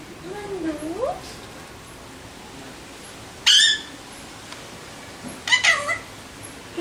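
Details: A person speaks softly while Alexandrine parrots give a sudden harsh screech and, later, a quick cluster of raspy squawks and wavering notes.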